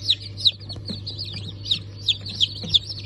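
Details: Fresh hatchlings of Cream Legbar, Sultan and Maran Couper chickens, 15 March 2024, give sharp, separate downslurred peeps about three times a second, with a constant low hum behind them.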